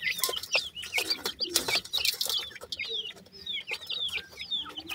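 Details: Several black francolin chicks of both sexes peeping busily: sharp high chirps and brief falling whistles tumble over one another, mixed with scratchy rustles and taps.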